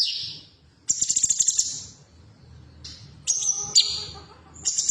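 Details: Female cucak cungkok bulbul, used to make caged birds sing: a high buzzy note, then a pulsed rattling trill, then sharp falling whistles and short buzzes, over a faint low hum.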